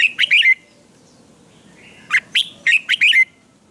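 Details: Red-whiskered bulbul, a contest-trained bird singing in the morning: two short phrases of quick chirpy notes ending in a bright descending whistle, separated by about one and a half seconds of near silence.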